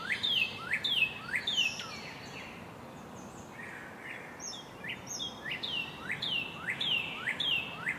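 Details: American robins tending baby birds in their nest: loud repeated downslurred chirps with rising squeaks in between, a brief lull midway, then a renewed steady run of notes about twice a second.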